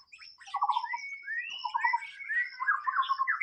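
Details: A wild white-rumped shama sings a lively medley of short whistles, upward slurs and buzzy trilled bursts in quick succession. A faint constant high-pitched hum sounds in the background.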